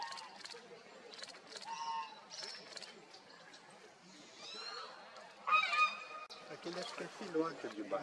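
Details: Toco toucan at a fishing spot in Serra da Cantareira, São Paulo state, Brazil, July 2023, giving hoarse, honking croaks in quick irregular runs, then a louder burst of calls, with faint human voices in the background.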